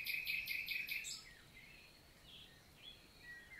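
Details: Common nightingale (Luscinia megarhynchos) singing on a summer morning, 11 June 2023, in countryside forest of La Vallée du Célé, Lot, south of France: a fast run of about six bright repeated notes, then quieter scattered chirps from other birds.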